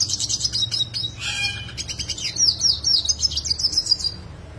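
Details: Yellow siskin in sharp rolling roll tajam song for masteran use: quick high twitters, then a short lower harsh burst, followed by a rapid run of bright trilled notes, about four per second, with a low hum behind.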